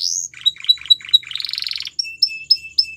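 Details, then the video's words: Song of a Belgian canary: a high slurred note, a few rolling chirps, a rich buzzy trill, then three short sharp whistles spaced evenly apart. "Melodies Canary Bird Song | Belgian Canary Singing"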